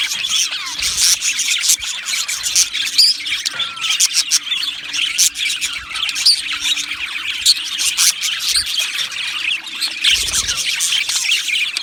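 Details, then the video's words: Colony of budgies, Australian parrots housed in an aviary, producing continuous cheerful chatter: a thick layer of high chirps, short whistles and scratchy warbles with occasional louder squeaks. "Beautiful Budgies Birds Singing and Chirping Sounds"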